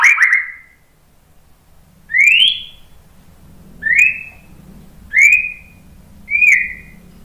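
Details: White-rumped shama singing as a lure to get other shamas singing. A series of separate, clear, upward-sliding whistles spaced roughly one to two seconds apart, each ending on a level note.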